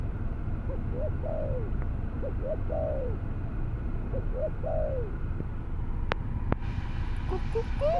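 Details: Albino spotted dove cooing: three phrases of two or three short rising notes followed by a longer, drawn-out down-slurred coo, repeated roughly every two seconds, over steady low rumbling background noise and a few sharp clicks near the end.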